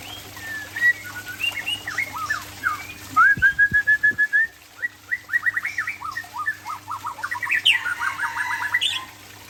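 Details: White-rumped shama, called Murai Aceh, singing in a relaxed afternoon session: varied whistled phrases, a run of rapid repeated notes, and quick chattering bursts over a steady low hum.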